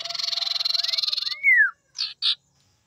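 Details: Female common iora (sirtu, cak lilin) calling as a lure to provoke males into singing: a fast buzzy pulsed trill lasting over a second, then a rising-falling whistled slur, ending with two short buzzy bursts.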